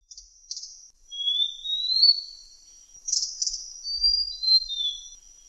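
Malaysian blue flycatcher singing high, sweet whistled phrases that slide upward and ripple, with brief pauses between phrases. A thin, steady insect drone runs underneath.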